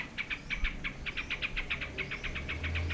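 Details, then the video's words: Yellow-vented bulbul gives a rapid run of short, bright chipping notes, about six or seven each second, over a steady rumble of traffic. "เสียงนกปรอดหน้านวลก้นเหลือง Yellow vented Bulbul"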